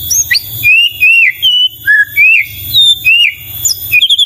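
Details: Murai batu, the white-rumped shama, in full melodious song: a string of clear, varied whistled phrases, some slurred upward, others dipping, each about half a second long with short gaps, plus sharp high chips.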